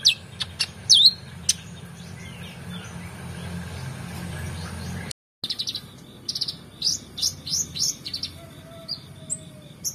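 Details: Brown-throated sunbird master song for training contest birds: scattered high chips and a sharp downslurred whistle, a brief silence, then a rapid string of rising slurred notes, with a faint insect-like drone beneath.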